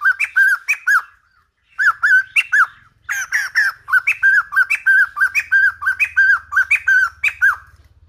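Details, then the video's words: Old-forest style song of the White-crested laughingthrush for young-bird voice training: ringing arched whistles in short groups, a pause, then a longer steady series of whistles with high upward flicks. "Khướu Đầu Bạc / Chim Bồ Chao / Ép Giọng Chim Non / 100% Chuẩn Rừng Già"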